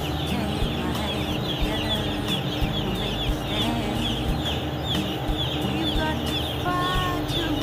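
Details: A flock of farmed broiler chickens approaching the keeper without fear; many overlapping thin, up-slurred peeps form a constant chatter above a droning fan-like background, with a few clearer whistled notes near the end.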